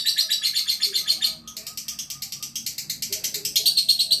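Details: Caged lovebird singing in full, energetic 'gacor' style: a fast run of harsh, high chattering chirps, about three per second, unbroken apart from a short dip in loudness midway.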